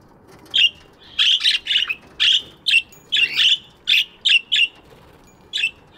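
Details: Budgerigars chirping in an aviary in the morning: a busy run of short, warbling chirps, some doubled or clustered, following one another almost without pause over a quiet background.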